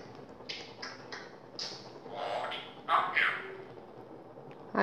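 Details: African grey parrot talking at home like a human, reciting the kalma; a string of hissy, speech-like syllables with a louder voiced phrase midway and a sharp burst at the end.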